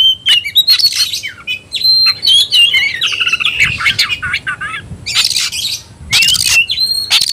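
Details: Caged Oriental magpie-robin provoked into a fighting mood, singing loudly: rapid mix of sharp whistles, harsh squawks and buzzy chatter in dense bursts, with brief gaps between phrases.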